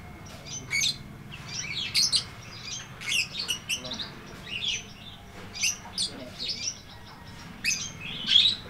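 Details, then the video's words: Lovebird 'ngetik ngekek panjang' song, offered as a tutor track for lovebirds that have stopped singing: busy, irregular bursts of high, ticking chirps and twitters, ending in a short rising whistle. "MASTERAN LOVEBIRD NGETIK NGEKEK PANJANG FULL DURASI!!"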